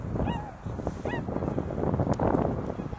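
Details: Tundra swan (Cygnus columbianus) among a large flock at Azumino, cloudy, -4°C, snow lying, 2023: two clear, mellow bugling hoots about a second apart, over a steady low rumble of wind and distant flock chatter.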